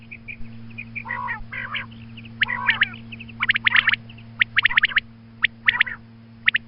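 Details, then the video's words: Female quail calling in the morning, offered as a hunting call: clusters of sharp, bright clicking notes alternate with short nasal, harmonic squawks in uneven bursts about once a second, over a steady low electrical hum. "Female Quail Calling Suba Lagty waqte Ki Awaz Female Batair Calling"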